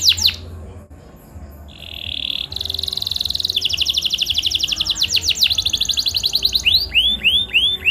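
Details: Canary song meant to prompt other canaries into singing: a steady whistled tone, then fast buzzy trills that speed up, ending with repeated upward-sweeping notes; faint low hum in the background.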